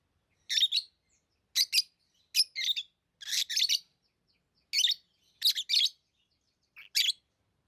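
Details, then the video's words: Lovebird chirping steadily: harsh, high, scratchy chirps, mostly in pairs or triplets, about every second or so, with short silent gaps between bursts. "Love birds Sounds | lovebirds chirping sounds"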